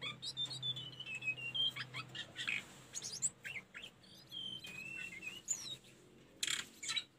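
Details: Sunda robin, a recording made to train caged birds: varied high warbling with sliding whistled notes and quick chirps, broken by brief noisy bursts, over a low background hum.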